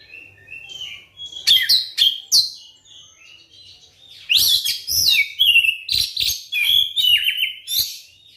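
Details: Kacer, or Oriental magpie-robin, gives a lure song meant to set silent birds singing: clear sliding whistles, then loud, rapid bursts of varied high chirps and trills, with short pauses between phrases.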